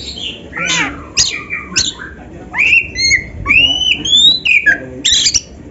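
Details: Oriental magpie-robin song used to train caged birds: scratchy bursts, then clear rising and falling whistles linked in a flowing phrase, ending in a harsh high burst.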